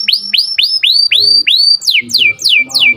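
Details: Canary in morning song, delivering a regular run of upward-curving whistled notes about four per second, switching to a series of steep downward-slurred notes, all clear and bright.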